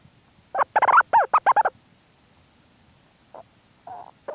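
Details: From its burrow at St Lazar, a Leach's storm petrel gives a fast rattling run of around eight clipped notes, then falls quiet apart from a few fainter short notes and low rustling movement.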